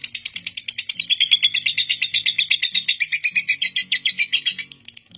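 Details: Record-holding caged lovebird in its long non-stop ngekek trill, used as a master to train young lovebirds: rapid rhythmic high chattering pulses, about six per second, sustained and steady, with faint low hum beneath.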